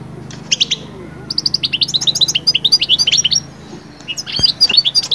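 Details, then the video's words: Song of a European goldfinch, used to bring birds from moulting quiet into summer mating fervour, with quick bursts of liquid twittering notes, a pause, then another chattering phrase over a low hum. "أخرج حسون من هدوء غيار الريش ألي هيجان الصيف فورا"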